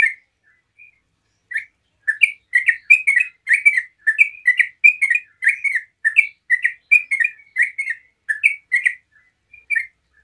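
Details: Yellow-vented bulbul singing continuously (ropel) as a lure so other bulbuls reply: after a few scattered notes, a long rapid run of bubbly, warbled chirps rising and falling, nearly unbroken for eight seconds, with no other sounds.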